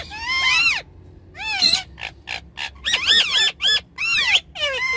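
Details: Pet ringneck parrots playing on a car back seat give rising and falling harmonic squawks in bursts, separated by short pauses, over a low engine rumble.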